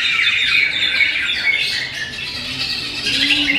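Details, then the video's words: Greater green leafbird delivering a rapid, busy song of sharp chirps and short whistled trills, packed closely together and high in pitch throughout. "Materi berkelas cucak hijau"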